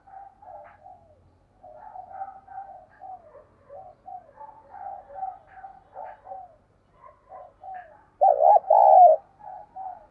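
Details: Spotted dove used as a lure, cooing to call wild doves: a long run of quiet, murmured coo notes, then one loud double coo near the end before the soft notes resume.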